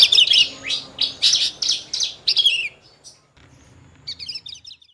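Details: Horsfield's bush lark, a rare lark said to mimic other species, utters a fast string of bright high chirps for under three seconds, falls silent, then adds a faint high trill.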